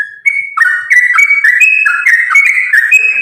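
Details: Rapid, unbroken fighting-style song of a sooty-headed bulbul (trucukan), meant to provoke other bulbuls to sing: one clear whistle, then a chain of quick, gurgling whistled notes that step up and down without a break.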